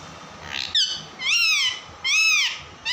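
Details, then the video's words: Pet parrot, known locally as tota or mitthu, letting out loud arched screeches, rising then falling, three long calls each lasting around half a second, with quiet gaps between. "Mitthu tota ki awaaze | Funny parrot talking video"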